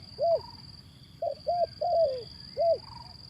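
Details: Zebra dove lure call for birds reluctant to sing: a series of clipped, arched coos, some paired, one drawn out and falling, with gaps between; a constant thin high whine runs underneath.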